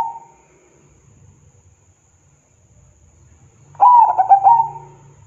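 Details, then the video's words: A local zebra dove sings as a lure for doves that will not sing: the tail of one coo, a low rumbling background hum, then a full phrase of pulsed, stuttering cooing fading out. "Perkutut Lokal GACOR , Pancingan Paling MANTAB Buat Perkutut MALAS BUNYi"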